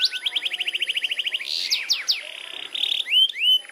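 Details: Canary in long rolling (ngerol) song: a rapid even trill of short notes, a few swooping notes, buzzy stretches, then clear rising whistles.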